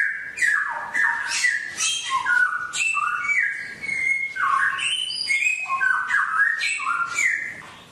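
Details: Songbird giving a rich wild song for caged birds to practise ten minutes a day: fast, continuous chains of sweeping whistled and chirped notes, many dropping in pitch, with hardly a pause.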